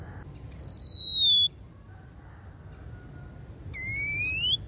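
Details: Oriental magpie-robin hen used as a decoy to lure wild males: a loud sustained falling whistle, a pause, then a long rising whistle, against a steady thin high tone.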